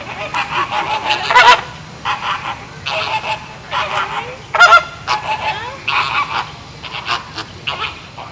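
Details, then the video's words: Flamingos giving a dense chorus of nasal, goose-like honks, many birds overlapping in quick bursts roughly every half second to a second. "Flamingo bird sound / calls"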